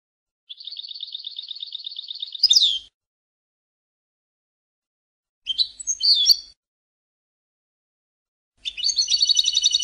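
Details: European goldfinch, recording taken from a song CD: a steady buzzy trill for about two seconds ending in a sharp flourish, then two clusters of quick twittering notes separated by silence.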